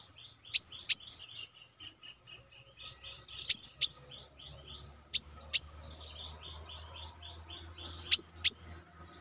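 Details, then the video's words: Master recording of a cinereous tit (gelatik batu) meant to set kept birds singing: four widely spaced pairs of sharp, high, falling notes, linked by faint thin twittering, about one pair every two to three seconds. "pancing dengan masteran Gelatik batu gacor ini yang bengong auto gacor"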